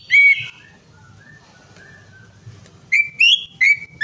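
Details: Greater green leafbird voice meant to set off a silent bird: one strong whistled note, a pause of soft, low gliding whistles, then three loud upslurred notes in quick succession.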